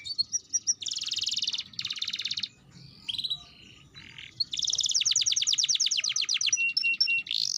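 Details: Canary singing, used to prompt young birds to start singing sooner; bursts of dense high trills and rolls separated by short gaps, ending in a long rapid rattling trill, over a low background hum.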